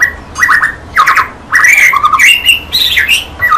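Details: Clear recording of a white-rumped shama singing: fluttering warbled phrases around mid pitch, a rapid trill, then rising whistles and a final dropping note, each phrase separated by short gaps.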